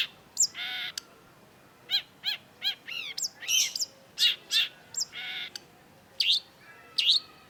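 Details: Long-tailed shrike (cendet) singing actively, used to prompt silent shrikes: a varied, harsh medley of buzzy harmonic-rich notes, chevron-shaped chirps and squealing upslurs, delivered in quick bursts with short gaps.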